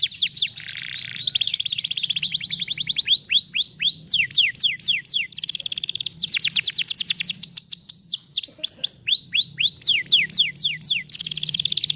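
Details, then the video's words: Canary song for stimulating a lazy canary to sing: varied, continuous phrases of fast trills and repeated downward whistled sweeps, about four notes per second, with a brief low buzzy passage near the start. "som de vara de pescar canário preguiçoso"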